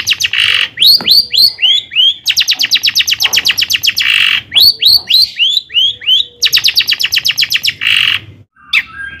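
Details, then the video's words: Long-tailed shrike song used to provoke rival shrikes into singing: rapid runs of repeated sharp upslurred chips about four per second, broken by harsh buzzy bursts and curved whistled notes. "kicauan Cendet Gacor AMPUH ISIAN MEWAH JUARA COCOK buat pancingan CENDET agar NAIK EMOSI JADI GACOR"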